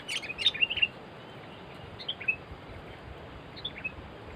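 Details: Two sooty-headed bulbuls recorded during bird trapping. A quick burst of short, bright whistled and chirping notes in the first second, then a few fainter scattered notes over a steady background hiss.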